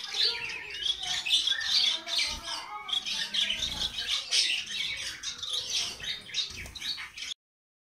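Society finches twitter nonstop in high, squeaky chirps and buzzy warbles, several birds overlapping, with a few soft low thumps underneath.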